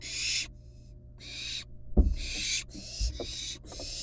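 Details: Wild barn owl nestlings at their nest, playing with a live rat before killing and eating it; rasping hissy screeches in bursts, with a sharp thump and scuffling noises midway amid a low background hum.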